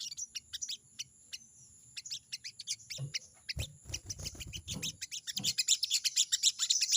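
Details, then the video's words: Sogon, the crested jay, chattering "crecet" to challenge a rival. Quick high notes come in loose bursts and get louder and denser toward the end. Low knocks sound near the middle over a constant thin high hum. "crecet crecet burung sogon memanggil lawan!!"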